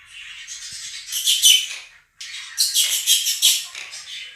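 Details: Two pet Quaker parrots calling loudly over a played recording of chirping, singing budgerigars: two bursts of harsh, broadband screeching, separated by a brief silent gap, with softer chatter underneath.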